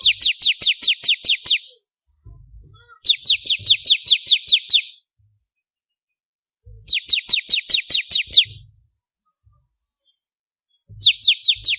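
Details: Bar-winged prinia song used for training contest birds: bursts of about seven sharp, high, downslurred chirps in quick succession, each burst lasting under two seconds and separated by pauses, with faint low thumps between bursts.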